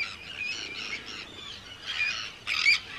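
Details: Many Arctic terns calling at a breeding colony on Rottumerplaat, the Netherlands, in early June 2023: dense, raspy, high calls in overlapping bursts, ending in a loud, sharp screech.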